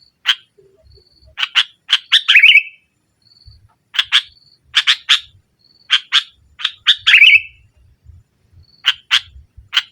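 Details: Energetic sooty-headed bulbul song of 'nggaruda' type, used to overpower rivals and stimulate silent bulbuls. Spaced harsh chatter notes build into two slurred, buzzing flourishes, with short thin whistles in the pauses.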